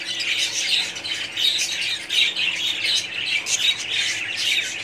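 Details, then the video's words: Group of budgerigars in a colony, their chatter pulsing in short bursts of bright chirps and squawks about every second, many birds overlapping in a busy high-pitched babble. "budgies parrots colony"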